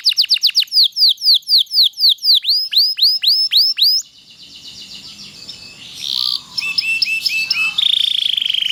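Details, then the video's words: Long tutoring song of a loper canary: a rapid series of loud, downward-sweeping whistled notes about four per second, then varied chirps and a buzzy, tight trill. "kenari loper gacor panjang durasi panjang sangat ampuh buat masteran segala jenis burung kenari"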